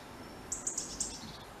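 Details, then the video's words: A robin tweets a brief burst of four very high, thin, tinny notes in quick succession, trailing off into fainter lower twitters over a soft background hiss. "Robinbird call sound"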